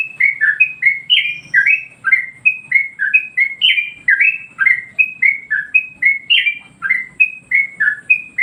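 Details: Yellow-vented Bulbul singing as master training material to provoke other birds: continuous loud chattering whistles, short warbled phrases of dipping and rising notes repeated back to back for over eight seconds.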